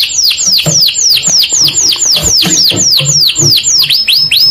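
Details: Canary singing: rapid series of high, sharply descending whistled sweeps, about three or four per second, over a low murmur of background noise.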